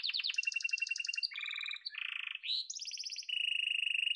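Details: Yellow domestic canary in full song: quick series of trilled phrases shifting between high rattling notes and lower rolling whistles, with a short upslurred note before a steady fast trill at the end.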